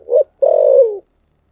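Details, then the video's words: Spotted dove cooing in the 'thổ sấm' (thunder) voice style: a short low coo, a brief pause, then a long burry coo that slides gently downward. Clean and close, with no other sounds. "chim cu gáy giọng thổ sấm chuẩn nhất"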